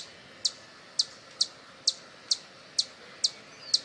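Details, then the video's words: Hummingbird calling, eight crisp high chip notes spaced roughly half a second apart against a quiet hiss; used as a sound to attract hummingbirds. "Som para Atrair Beija Flor | Qual é o Som do Beija Flor"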